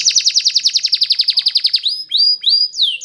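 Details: Belgian canary in full training song: a rapid even trill of around twenty descending notes, then separate rising whistles and a final sweeping slur.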